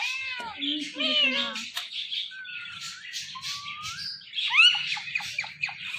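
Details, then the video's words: Chattering talkative Indian ringneck parrot gives layered harsh syllables, then long gliding whistles and a sharp upward squeal, with faint low background murmur throughout. "So Much Talkative Indian Ringneck Parrot"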